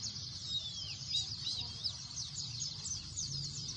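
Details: High, busy white-eye twittering from many birds, including one clear descending whistle near the start, over a faint low drone.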